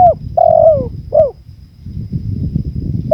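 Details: Spotted dove giving a quick burst of coos: a falling note, a long level coo that sags at its end, then a short hooked coo. Afterwards only wind rumble and a faint clipped note remain.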